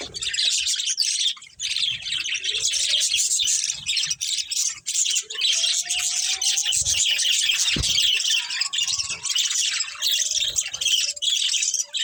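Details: Budgerigar colony with a breeding pair, many birds chirping at once in a dense, continuous high warbling chatter, with a few faint lower whistled notes beneath.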